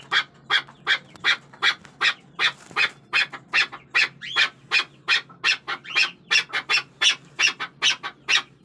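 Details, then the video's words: Chukar partridge chorus of dense, overlapping harsh chucking notes, uneven in rhythm and bright in tone, with some notes doubled as if more than one bird calls at once. "Chakor Ki Awaz || Chukar Partridge Sound"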